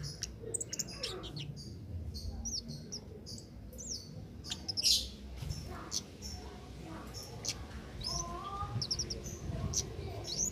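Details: Cit keres in lively, continuous song, suited as a master recording for training songbirds: scattered high, sharp chirps and short whistled notes over a steady low rumble of background noise.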